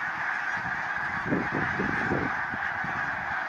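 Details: Snow geese in a field at Baldwinsville give a short burst of low, nasal honks in overlapping pulses over about a second, set against a steady broad hiss of background noise.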